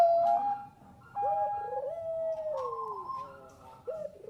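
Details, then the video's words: Bangkok-type zebra dove used for luring: one brief loud coo, then several doves overlapping in long gliding and trilled notes at a moderate distance. "SUARA PERKUTUT BANGKOK GACOR AMPUH UNTUK PANCINGAN"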